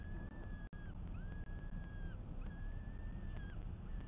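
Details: Peregrine falcon on a live falcon camera feed, 12 May 2022, giving drawn-out, level, slightly nasal wailing calls, each about half a second long and repeated several times, over a constant low rumbling background hum.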